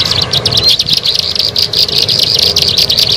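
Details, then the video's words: Bar-winged prinia call used as a lure: fast, steady stream of sharp high chips, about four to five per second, loud and unbroken, over a low hum. "SUARA MP3 PIKAT BURUNG CIBLEK SAWAH"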